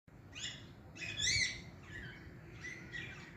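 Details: Green Indian ringneck parakeet chirping: a few high, harmonic-rich squeaky notes, one louder rising-falling chirp in the middle, against a low background hum.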